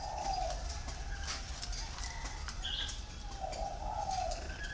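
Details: Spotted dove with a warm, plain three-note coo (cúc cù cu): two soft, low cooing phrases separated by a pause, with faint chirps from other birds in the background.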